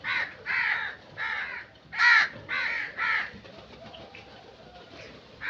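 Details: Crow calls in a steady run of six raucous caws about half a second apart, followed by quieter background cawing.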